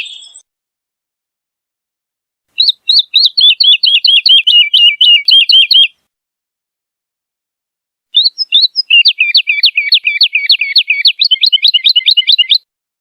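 A Woodlark sings two fluty phrases of quick, repeated liquid notes, each run a few seconds long with a pause between, high-pitched and clear against silence.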